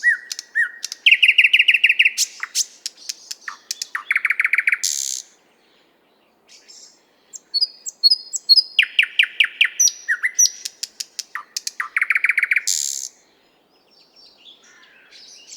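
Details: Nightingale singing in the 50th Anniversary of October park in Moscow, recorded with a shotgun microphone: loud, varied phrases of rapid repeated clicks and rattling trills, rich whistled bursts, pauses between strophes, clean quiet background.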